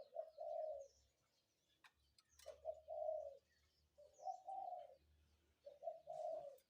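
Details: Spotted dove calling in the morning: low, mellow cooing phrases of two or three notes, each about a second long, repeated every one to two seconds, with faint rural background noise.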